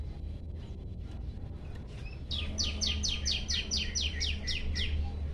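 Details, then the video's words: Hungry Olive-backed Tailorbird sings a rapid string of about ten high, slurred chips after two seconds of softer notes, heard above loud low-pitched rumbling background noise. "prenjak lumut lapar gacor"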